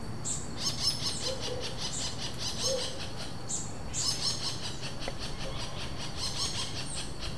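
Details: A pair of wild Robust Woodpeckers trading interaction calls at Vargem Grande Paulista, São Paulo state, Brazil, in April 2023, no playback, Zoom H4n: high, thin squealing notes in loose bursts about every second, with a faint lower hoot in the background.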